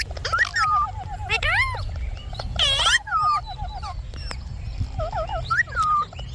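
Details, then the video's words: Talking pet Indian ringneck parakeet uttering harsh arched squawks and sliding whistled notes, one buzzy wavering phrase in the middle, calls bunched in short groups over a faint low hum. "Talking parrot video|Ringnek parrot video|Parrot voice"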